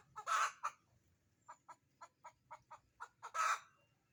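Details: Chicken, from a recording of crowing and egg-laying hens: two loud harsh squawks open and close a string of short, evenly spaced clucks, about eight quick 'bok' notes in between.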